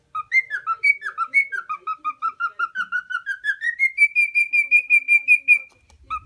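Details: Four-year-old male lutino cockatiel kept as a pet in Osaka, Japan, whistling a rhythmic series of short notes that drop, then climb steadily upward and hold a high, even repeated whistle before stopping.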